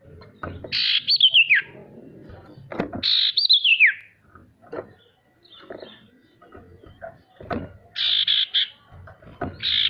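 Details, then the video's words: Lure song of a male sirtu, meant to coax reluctant birds into singing: descending trilled whistles alternate with short stuttering buzzy bursts, separated by gaps with faint low knocks. "Suara sirtu untuk memancing burung pemalas bunyi agar bisa rajin mau bunyi"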